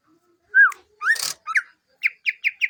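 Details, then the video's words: Greater green leafbird: two clear upslurred whistles and a noisy burst, then a quick run of four short, bright, evenly spaced notes. "Cucak Hijau"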